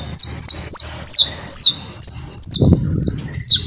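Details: Murai batu, the white-rumped shama, as a lure for a chattering bird: thin high down-slurred notes repeated about once a second, with a brief low thump partway through.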